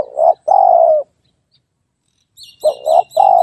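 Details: Spotted dove's mellow coos: a short note and a long, level coo, then, after a pause, a double note and another long coo. Thin, high chirps from small birds come in near the end.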